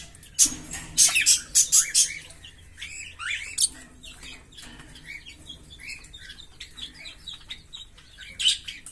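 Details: A pair of green Fischer's lovebirds singing and chirping. An early burst of loud, shrill, rapid chirps gives way to softer, twittering notes. A single loud chirp comes near the close.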